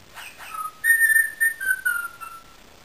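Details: Indian ringneck parakeet kept as a pet, whistling a few steady, pure held notes that step slowly downward in pitch, after two brief soft chirps.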